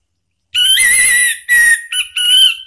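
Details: Orange-headed thrush singing to goad another bird into song, and as therapy for a thrush that has gone quiet: three clear whistled phrases, the first long and steady, the last two shorter, with brief breaks between.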